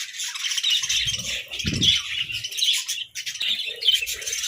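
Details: Caged budgerigars in a food squabble give busy high chattering and chirps, broken by a short pause, with a louder thud and light rattling below.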